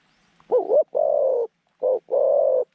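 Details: Middle-voiced zebra dove used as a decoy for luring wild doves to a pen trap; a wavering opening note, a long rolling coo, then a short note and another long rattling coo.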